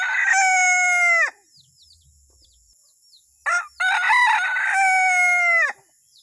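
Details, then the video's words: Male junglefowl from Sulawesi, used as a lure call, gives two loud harmonic crows. The first lasts over a second and drops at the end. After a pause, a short note leads into a long drawn-out second crow. Faint high chirps sound behind. "SUARA PIKAT AYAM HUTAN // SUARA AYAM HUTAN JANTAN ORI / SUARA MERDU AYAM HUTAN / AYAM HUTAN SULAWESI"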